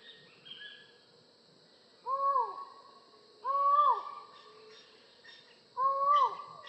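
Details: Three loud, hollow calls from a collared forest falcon, each held and then slurred downward, spaced about two seconds apart, after a faint higher note at the start.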